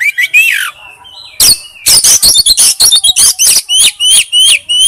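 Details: Male oriental magpie-robin calling to a female: loud, rapid series of sharp clicking notes mixed with bright upslurred whistles, repeated steadily through the second half.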